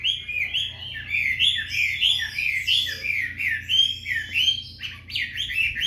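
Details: Afternoon song of a White-rumped shama kept for breeding: rich, repeated whistled phrases sliding up and down, delivered in a steady rhythmic series with sharper high notes near the end.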